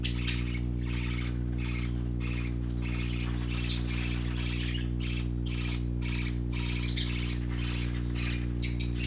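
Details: Playful young parakeets keep up a dense, nearly continuous run of raspy squawks, about four a second, over a steady low electrical hum.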